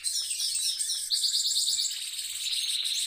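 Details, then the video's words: Brief burst of continuous rolling song by a caged goldfinch mule, a thick high twitter carrying a fast, evenly beaded trill through the middle. "mule goldfinch rolling on cage"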